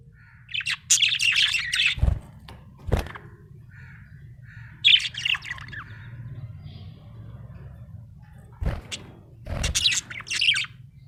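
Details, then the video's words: Budgerigar described as happy, giving short bursts of harsh, scratchy chirps in three clusters with quiet gaps between, plus a few sharp clicks and a low background hum. "Happy budgie chirping sound"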